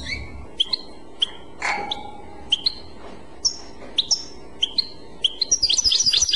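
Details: European goldfinch in Clochette song style, giving spaced, short high chips and paired whistles roughly every half second, building into a quick, bright twittering flourish at the end.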